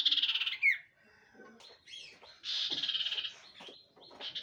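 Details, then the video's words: Common iora (cipoh) delivering buzzy, rapidly pulsed trills separated by short sharp notes, the trill repeated after a brief gap. "BURUNG CIPOH"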